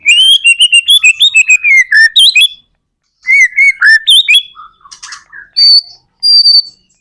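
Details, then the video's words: White-rumped shama song played to prompt other shamas to answer: loud bright whistled phrases of quick repeated notes, sliding down and up, in two bursts separated by a pause, ending with short buzzy notes and high clear whistles. "PANCINGAN murai batu gacor AMPUH BUAT MENDONGKRAK MURAI BATU MENJADI CEPAT BUNYI"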